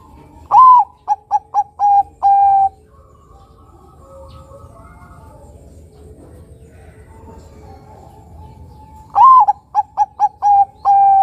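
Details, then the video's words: Bangkok-local crossbred zebra dove, used to draw other perkutut into song, gives two phrases about seven seconds apart, each a swooping first note, four staccato notes and a long final tone, with faint murmuring between. "Perkutut bangkok gacor suara nutut besar panjang penarik bunyi perkutut bangkok lokal crossing"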